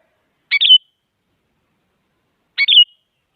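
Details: Sooty-headed bulbul, described as a female calling a male and used to stir silent bulbuls into singing: two brief phrases about two seconds apart, each a quick stuttering burst then a slurred, bright whistle. Clean, quiet background.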